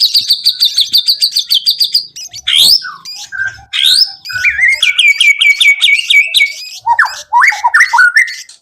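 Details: Song of a white-rumped shama meant to prompt other birds to sing: opens with a fast buzzy trill of repeated high notes, then sweeping whistles and a run of repeated upslurred phrases.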